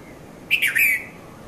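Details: At Mount Lavinia, Sri Lanka, 5:30–5:40 a.m., a red-vented bulbul, known locally as Konda Kurulla, gives one cheerful three-part phrase: short bright note, quick slurred note, then a longer warbled ending; recorded on a Nikon Coolpix P510.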